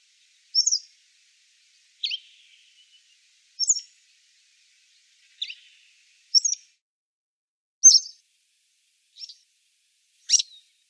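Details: Grey wagtail at the Lieser river, 2017, repeating eight sharp, high, clipped call notes over about ten seconds, alternating brighter and slightly lower notes, with nothing else audible.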